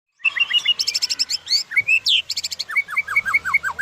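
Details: Murai batu of the Medan type singing in full gacor style with rich isian: fast, varied phrases of clear whistles, buzzy rattles and repeated rising and falling notes at a steady quick pace, loud and close.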